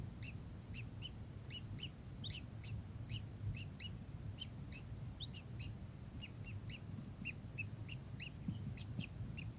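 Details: Kingfisher giving a long, lively run of sharp, high chirps, often paired, with a few higher squeaky notes mixed in, over constant low rumbling noise.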